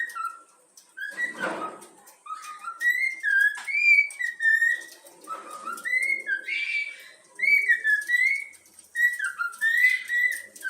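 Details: Pet young yellow-cheeked cockatiel performs the Flamengo anthem it was taught, a long, steady run of short whistled notes stepping up and down, with scattered clicks and a brief rustle near the start.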